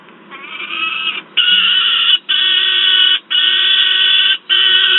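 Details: Noisy juvenile peregrine falcon at Wałbrzych, Poland, 10 August 2022, recorded alongside an adult: a softer rising wail, then four long harsh, grating screams, each about a second, separated by brief breaks.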